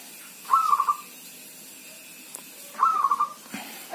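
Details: Kept zebra dove singing despite rain or drizzle; two bubbling, quickly stuttered coo phrases a little over two seconds apart, against a quiet, steady hiss.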